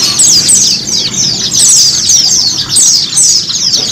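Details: White-eye song used as therapy audio to prompt pet white-eyes to sing: dense, very high, thin twittering in quick falling bursts that repeat about every half second and never pause.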